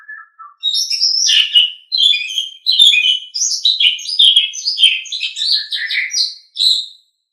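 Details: Asian pied starling, tutor song for caged birds, delivering a dense jumble of squeaky, chattering and whistled notes that shift quickly in pitch, after a brief low whistle at the start.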